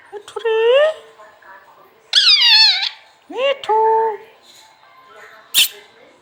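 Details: A green parrot kept as a pet talks in drawn-out, wavering, voice-like tones. Three separate phrases rise and bend, with a sharp click near the end, in a small indoor room.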